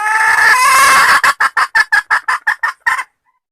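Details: Calling the male, a female red junglefowl gives a loud harsh drawn cackle, then about ten clipped notes repeated rapidly and regularly before stopping.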